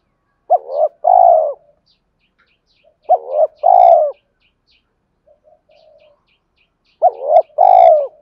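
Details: Male spotted dove cooing for fighting and mate calling, three phrases each of a clipped double hoot followed by a purring drawn-out coo, faint soft notes and a light tapping in the gaps.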